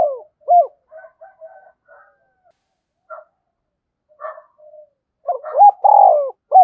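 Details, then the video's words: Spotted dove decoy bird in the 'giọng thổ sấm' voice style, calling with gáy gọi coos. Scattered soft notes come first, then a clear burst of low hooting coos: short notes around one longer, rolling middle note. "chim cu gáy thúc và gáy gọi cực đỉnh, chim cu gay kich boi nhanh noi"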